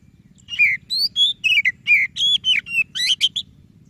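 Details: Oriental magpie-robin singing to stir a reluctant bird into song: a rapid, varied series of sweet whistled notes, many sliding downward, delivered almost continuously over a constant low background hum.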